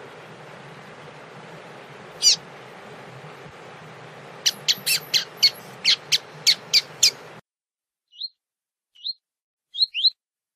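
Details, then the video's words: Coleiro tui tui, a Double-collared seedeater, warming up beside a female ahead of a contest: a fast series of sharp, buzzy repeated notes over steady background hiss, then quiet, with four rising slurred whistles after the hiss stops. "Aquecimento Coleiro Tui Tui com Fêmea !!!"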